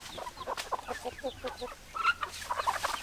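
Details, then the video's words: Several chickens clucking together, with short repeated clucks and murmurs overlapping, a busy chorus of hens with brief louder calls near the end over a faint low hum. "Chicken Sounds Noises Hens Clucking Roosters Crowing"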